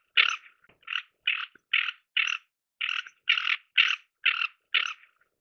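A Ferruginous Duck gives ten harsh, rasping croaks, about two each second, in a quiet setting.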